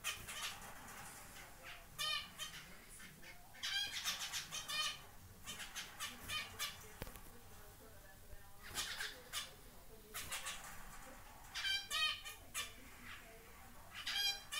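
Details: Zebra finches, including a chick on its first day out of the nest, give short, nasal, toy-trumpet beeps in quick bursts with soft rustling between.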